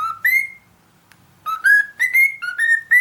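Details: Cockatiel song: one rising whistle, a pause of about a second, then a fast string of five or six clear whistled notes stepping up and down in pitch.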